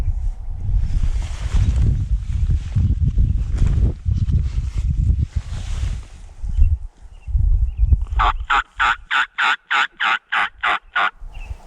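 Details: Wild turkey tom gobbling near hens on public land in Montana, with a jake and subordinate toms present; a rapid run of about ten loud, even gobble pulses in the last four seconds, following soft low-pitched rumbling and movement noise.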